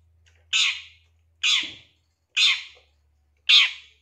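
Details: Harsh rasping squawks of a long-tailed shrike, played as a lure to get a shrike singing and excited: four loud grating notes about one second apart over a faint low hum.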